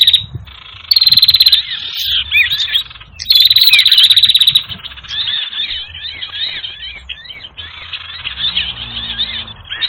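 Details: Sirtu bird lure recording for trapping, described as noisy: bursts of loud high twittering in the first seconds, then a continuous busy chatter of short rising and falling chirps, irregular and overlapping.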